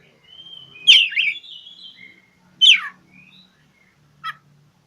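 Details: Oriental magpie-robin challenging a rival. A long whistled phrase with a loud twisting note is followed by a harsh downslurred call, then a short clipped note.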